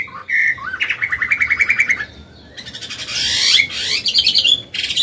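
A Chinese hwamei sings loud, varied phrases: rapid repeated whistled notes, then higher rich trills and slurred rising notes, with no other sounds.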